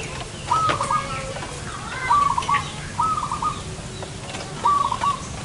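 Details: Zebra dove cooing during a trapping session in front of a house: four mid-pitched stuttering phrases, each a quick run of beaded notes ending in a held tone, spaced about 1.5 seconds apart, over faint background hiss.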